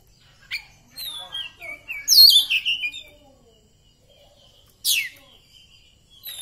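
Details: Caged Oriental magpie-robin of the poci type, singing in bursts after therapy training: clear high whistled phrases that slide downward in quick succession, a pause, then sharp sweeping notes and a final short burst, in a quiet room.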